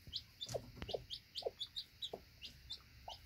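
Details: Day-old chick feeding beside its mother hen near the nesting box: rapid high thin peeps, several per second, mixed with soft low clucks and pecking sounds.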